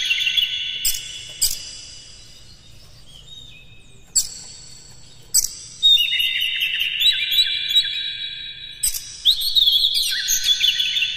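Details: White-rumped shama lure song: sharp clicks and bursts first, then a busy stretch of high whistled warbling with fast, varied notes.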